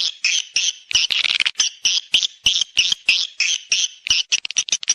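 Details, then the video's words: Swiftlet lure sound for a nesting house: buzzy high chirps repeated about three times a second, some notes run together into short trills, ending in quicker clipped twitters. "SUARA PANGGIL BURUNG WALET MENGAWAN ASLI / HOW TO CALL SWIFT BIRDS"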